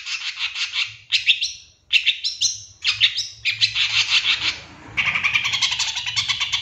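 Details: Provoking master song of a long-tailed shrike: loud, grating chatter in short bursts broken by gaps, becoming a steady rapid rattle of scratchy notes at the end, over a faint low hum.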